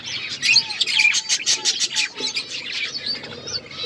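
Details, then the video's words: Colourful pet budgerigars chirping together: a dense, fast stream of high twittering chirps and warbles, with a faint lower whistled note repeating beneath them. "Beautiful budgies colour birds chirping sounds"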